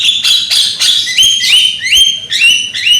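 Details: Young Javan myna, loud-voiced lure for singing: strong harsh notes followed by a string of clear whistles rising upward, repeated about every half second.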